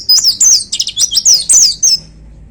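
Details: White-eye (pleci) singing loudly from a hanging contest cage in "tembakan" style, a quick string of thin, high twittering slurs with brief chattering notes, ending after two seconds in silence.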